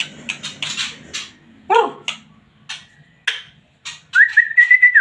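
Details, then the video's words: White-rumped shama singing excitedly: dry crackling bursts and sharp clicks, a short downward whistle, then a steady whistled phrase near the end with rapid pulsing notes; quiet room, no other birds. "MURAI BATU GACOR PLONG FULL EMOSI TINGGI"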